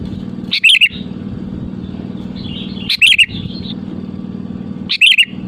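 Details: Sooty-headed bulbul singing vigorously, used as a lure to call rivals: three brief fluty bubbling phrases about every two seconds, soft chatter between, a steady low hum throughout.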